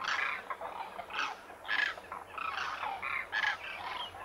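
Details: Wintering Demoiselle cranes, locally Koonj, at a lake near Khichan in the Thar Desert, India; separate croaking, trumpeting calls in short bursts, several birds answering one another, with brief quiet between calls.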